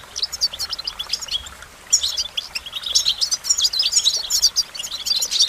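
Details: Goldfinch singing a fast, jangling twitter of high, tinkling notes, starting sparse and growing denser and louder after the second second, with bright sliding chirps packed closely together.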